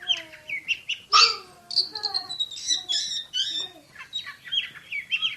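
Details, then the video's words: Oriental magpie-robin in the 'tembakan' style, a champion bird firing rapid, tightly packed phrases: varied whistles, a loud harsh burst, slurred rising and falling notes and squeaky chatter in quick succession. "KACER JUARA SUARA TEMBAKAN !!! BURUNG KACER NEMBAK SPEED RAPAT"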